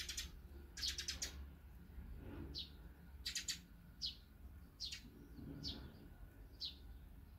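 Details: Small birds, among them tree sparrows, tits, bulbuls, crow-tits, turtle doves, magpies and azure-winged magpies, gather to feed. Short sharp chirps and rapid clustered tweets come at irregular intervals over low background hum.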